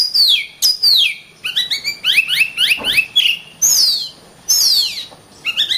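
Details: Oriental magpie-robin in full song, mixing sweeping high downslurred whistles with fast stepped rising chirp series and short twittery notes, delivered in dense phrases with brief gaps.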